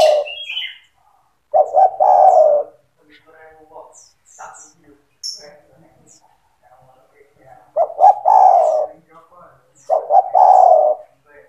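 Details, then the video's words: Spotted dove in vigorous song, offered as a recording to train young doves to sing: low cooing phrases of two short notes and a longer falling coo, repeated at irregular intervals with quiet gaps between them. "SUARA TEKUKUR GACOR"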